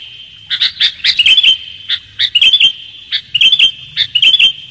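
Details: Sooty-headed bulbul calls for bird luring: short phrases of two or three bright, bubbly notes followed by a quick tinkling flourish. Each phrase repeats about once a second against a steady faint hum.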